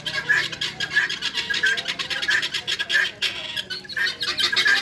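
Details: Farmed guineafowl give harsh, rasping squawks in quick, uneven bursts, with several birds calling over one another.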